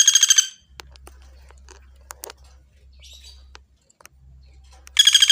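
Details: Pelatuk bawang, the common flameback, in a clear training recording: a short, fast, harsh rattle opens, faint clicks and ticks follow, and a second loud rattle begins near the end.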